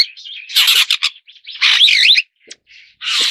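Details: Superb starling (Lamprotornis superbus), call.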